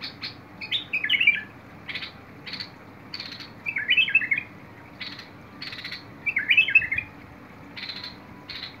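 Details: Bulbul song recorded 21 August 2022: short bubbling warbled phrases around the middle-high range, sung in three bursts, separated by dry rasping buzzy notes; steady low hum beneath.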